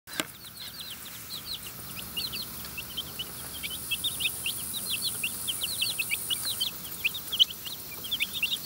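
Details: Young chickens being hand-fed in a run with food scattered for foraging; rapid high peeps repeat throughout, growing denser toward the end, with a faint hiss in the background.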